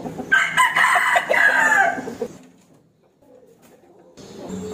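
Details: Rooster crowing as a challenge to fight a rival, one harsh, sustained crow about two seconds long, followed by near silence and faint background sound.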